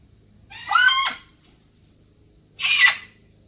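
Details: Pet blue-and-gold macaw outside in the morning, sharing the space with a red-tailed black cockatoo: two raspy, grating squawks about two seconds apart, each lasting roughly half a second, with little background noise.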